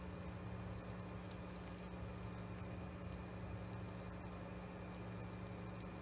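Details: Constant broadband hiss with a low steady hum runs throughout, and no animal calls can be picked out.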